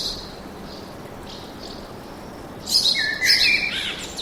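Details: Birds singing in a forest: a few faint, thin, high chirps spaced about half a second apart, then a louder burst of bright, shrill twittering and trills near the end over a steady soft background hiss.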